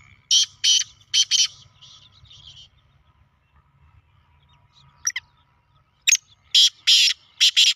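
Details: Black francolin giving rasping call phrases: three scratchy notes at the start, a quiet stretch with one brief squeak, then another burst of four harsh, grating notes near the end over faint low rumble.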